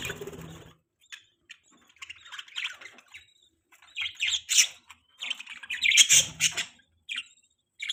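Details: Several happy pet budgerigars chattering in quick bursts of sharp chirps and squawky warbles, louder and denser in the second half, with short silences between flurries.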